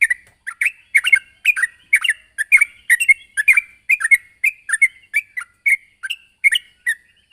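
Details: Vocal sooty-headed bulbul calling a rival, pouring out a fast, steady run of clipped chirps and two-note tweets, roughly three to four per second, with no other sounds.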